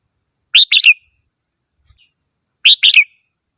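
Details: Red-whiskered bulbul repeating a short, cheerful three-note whistled phrase twice, roughly two seconds apart, with a faint click between and no other sounds.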